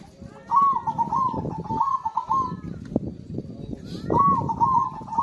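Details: Zebra dove song, played to draw song from birds that have gone quiet: two rolling, stuttered coo phrases separated by a pause, with a steady low background hum.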